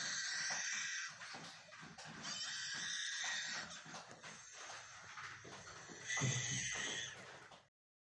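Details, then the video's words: Lyrebird from Australia imitating the voices of human children: wavering, wailing, harmonic cries in a long run, a quieter stretch in the middle, then a louder burst near the end before the sound cuts off. "Lyrebird बिल्कुल इंसानी बच्चों जैसी आवाज निकालता है।"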